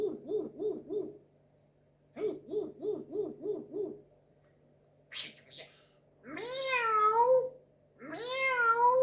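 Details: Grey parrot imitating other animals: a series of four, then six, quick nasal hooting notes, a short burst of noise, then two long wavering cat-like meows.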